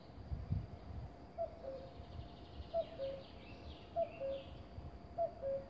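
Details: Common cuckoo singing at Konjiška Gora, Slovenia: four low two-note cuck-oo calls, the second note lower, repeated about every 1.3 seconds over a faint rumbling background.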